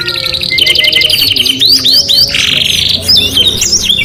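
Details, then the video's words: Canary in vigorous song, with fast high trills, rapid repeated chip series, sweeping whistled slurs and a buzzy rolling tour, delivered continuously with almost no pauses. "KENARI GACOR 2 IN 1 | CANARY SINGING"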